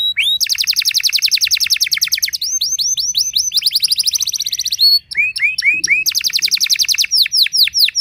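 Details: Canary song meant to provoke other canaries: long fast rattling trills, swept whistles, a second rattling trill, a short gap, then another trill and descending swept notes.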